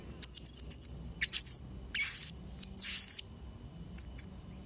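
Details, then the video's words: Blue-crowned hanging parrot singing a lively sequence of piercing high chirps, first three quick evenly spaced squeaks, then harsher buzzy notes and a long rasping burst, ending with faint thin ticks. "Variasi & Isian Suara Serindit Trotol Gacor"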